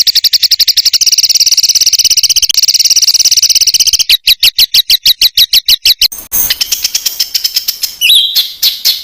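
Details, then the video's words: Songbird master track used in Indonesia to tutor competition birds with tightly packed rapid-fire filler notes; long fast buzzy trill, then sharper separated chips around four seconds, ending in mixed whistles after spliced breaks. "BURUNG MASTERAN FULL ISIAN UNTUK BURUNG LOMBA"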